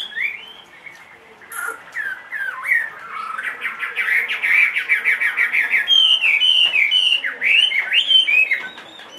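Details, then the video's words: Chinese hwamei kept in a cage, aged two and a half, delivering a fluent whistled song: slurred notes build into a fast rattling series, followed by bright, clear, repeated whistles at a higher pitch. "HM 450 hót mọi địa hình bộ to 2,5 tuổi lồng"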